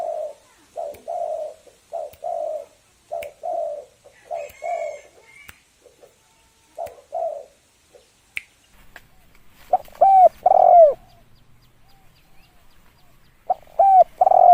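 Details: Spotted dove lure call: a quick run of short soft coos, a pause, then loud slurred coo phrases with a drawn, downward-bending middle note near the end, occasional clicks.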